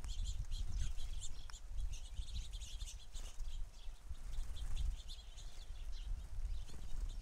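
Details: An over-abundant crowd of house sparrows at a feeder keeps up continuous chirping chatter, many calls overlapping, over a steady low background rumble.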